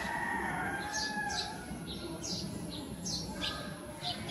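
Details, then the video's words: Grey-streaked flycatcher seen up close, giving thin, high, downslurred call notes in irregular bursts of two or three over steady background hiss. "Gray-streaked Flycatcher"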